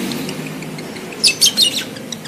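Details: Lovebird ready to breed calling to mate: a tight cluster of three or four piercing, shrill chirps delivered in under half a second after a quiet start with low background hum.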